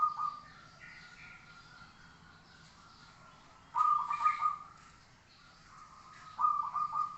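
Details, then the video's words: Zebra dove song used as a training recording: two burbling coo phrases, each a rapid stutter of notes ending in a steady drawn-out tone, with long quiet gaps and light background hiss. "masteran suara burung Perkutut"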